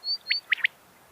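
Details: Quail calling in the morning, giving a quick three-note call: one short liquid note, then a fast double note, fairly high-pitched, with thin faint whistles before it.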